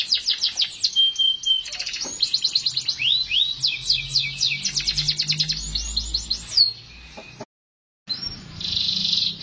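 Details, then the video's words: Singing canary: quick strings of high descending chirps and sweeping whistled notes, a steady high tone in places, a low hum underneath, then a brief break and a buzzy trill. "٣٠ دقيقة تغريد مستمر ورائع مهما كان نوع الكناري خاصتك سيبدء بالتغريد"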